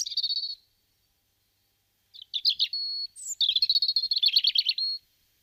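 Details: Wild European robin singing in Guadalajara, Spain, February 2010: a high, sweet warbled phrase, a pause, then a varied run of twittering notes, a sustained pure whistle and a fast rippling trill.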